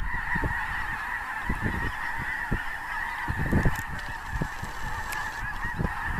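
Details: Close to a migrating snow goose flock at Clinton Lake, Illinois, in a blizzard on 6 February 2016, countless birds give steady, overlapping high barking honks that merge into one constant din, with low wind thumps.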